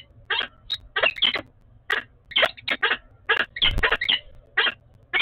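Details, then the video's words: Nesting peregrine falcons in Oudenaarde bond on 11 February 2021 with loud, excited, grating calls. Short clusters of two or three harsh notes repeat throughout with brief pauses, and a low thump is heard midway. "Oudenaarde Peregrine Falcon - Bonding 20210211"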